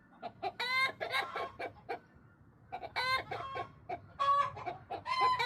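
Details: Backyard chickens, including bantams and silkies, being talkative: a mix of short repeated clucks and louder harmonic squawking cackles in bursts, with quieter pauses between.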